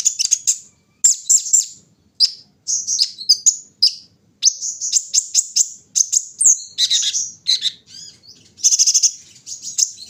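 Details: Kolibri ninja, a sunbird put out in the early morning air for dew-taking, singing a busy run of high, sharp chirps and thin twittering notes with short pauses between bursts.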